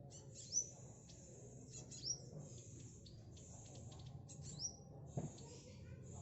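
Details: High, thin trilling of a tame speckled black sunbird training its song, punctuated by bright upward-slurred whistles about every one and a half seconds, over low background rumble and a single thud.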